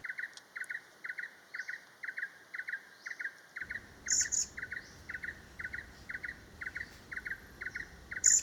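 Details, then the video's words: Vernal hanging parrot in the breeding season at Ban Krang Camp, Kaeng Krachan National Park, Thailand. The pair is nesting, the female incubating and the male bringing food. The call is likened to "si-sip, si-sip". Two loud, high, sharp double notes stand out over a steady train of lower paired chirps from another source. "นกหกเล็กปากแดงและเสียงร้อง Vernal Hanging parrot Sound"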